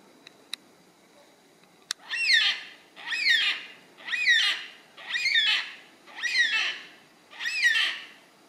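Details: Yellow-tailed black cockatoo calling: six drawn-out, harsh, wailing screeches about one per second, each rising then falling with rich harmonics, after two sharp clicks at the start.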